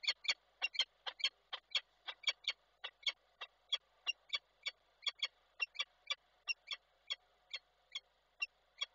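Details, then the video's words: In Koszalin on 7 August 2023, a somewhat drenched female peregrine falcon calls her mate with a steady, insistent series of harsh, clipped kek-like notes, roughly three per second, repeated throughout with no other sounds. "Nila trochę przemoczona woła samca"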